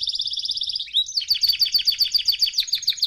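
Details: Canary song meant to teach young canaries: a fast trill of repeated notes, a short rising slur, then a dense rolling run of quick chattering notes.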